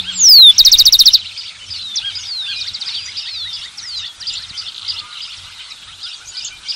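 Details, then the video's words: Rufous-collared sparrow song: a loud, clear whistle slurring downward, then a rapid even trill of about ten bright notes lasting half a second, followed by a steady background chorus of many other birds chirping. "Tico-Tico - Uma hora de canto"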